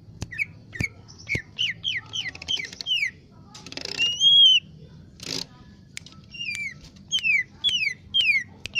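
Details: Lesser green leafbird in busy song: fast series of downslurred whistled notes, then one long rising whistle, then more rapid slurred notes, with sharp clicks throughout.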